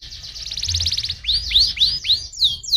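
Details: Canary singing a stimulating song meant to prompt other canaries to sing: a fast buzzy trill of even pulses gives way to a series of loud downward-swooping whistled notes, each repeated about every quarter second.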